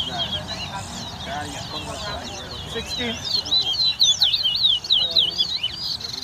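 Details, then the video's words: Competing towa towa during a 2022 singing race at a Guyana bird ground: soft chatter at first, then a loud run of rapid looping whistles and twitters, about two notes a second, amid men's voices. "TOWA TOWA BIRD RACE"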